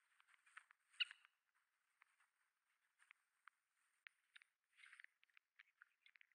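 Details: A small flock of Oriental pratincoles (Glareola maldivarum), an endangered migrant or summer visitor, gives flight calls at Yonaguni, Japan, as the birds suddenly fly up. The calls are sharp, clipped chirps and irregular, fairly faint chattering over a thin high hiss.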